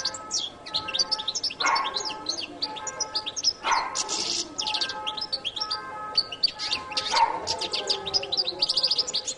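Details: Latin goldfinch in continuous song, dense high chirps and buzzy trills, with three louder rough lower bursts spaced about two seconds apart.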